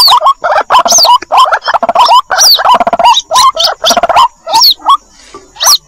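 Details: Young White-breasted waterhens call for their mother on a trapping lure track: loud, gravelly repeated notes in bunches, each topped by bent squeaks, with occasional high falling whistles.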